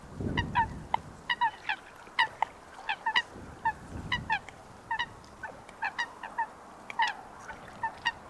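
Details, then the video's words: Coot calling in natural wetland habitat: a steady run of short, abrupt, honking notes repeated roughly every half second, some doubled, with low rumbling noise in the background early on. "Coot Bird Sound | Real Calls of the Wetland Water Bird"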